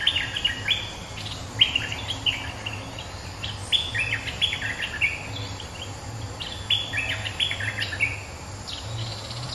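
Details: Territory-holding bulbul calling back at a rival: a rapid run of bubbling, warbled chirps in repeated bursts about every second or two. Faint insect hum and low background rumble persist throughout.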